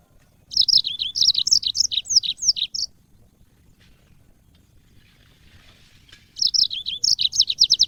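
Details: Two bursts of rapid high warbling from a yellow-fronted canary in cage-bird training audio, each about two seconds of jumbled slurred whistles, separated by a long quiet gap.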